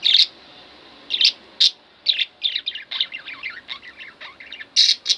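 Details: Two household budgerigars produce loud, sharp high chirps, then a rapid jumble of buzzy warbling notes before another cluster of bright chirps.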